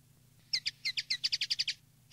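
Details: Common linnet in field-style (campero) tutoring song: a quick string of about ten sharp, high, twittering notes, each a crisp downward flick, then a pause and one more note, against a faint low hum.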